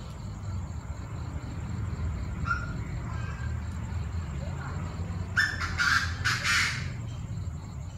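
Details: Several Chinese francolins with many voices making a racket at 7 pm on 18 September. A faint note at mid-clip, then a burst of loud, harsh, grating calls near the end. A steady pulsing insect chorus and low rumble run throughout.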